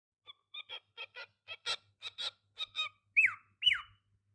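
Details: A young talking cockatiel chatters a quick run of raspy, speech-like syllables, then two loud falling whistles.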